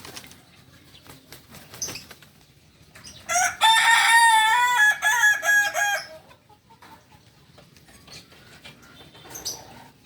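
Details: A special-class Kukuak balenggek chicken, a native breed from Solok, West Sumatra, gives a long, loud crow of about three seconds. The crow is broken into rapid, stuttering, repeated syllables. Faint clicks and rustling follow in the quiet afterwards.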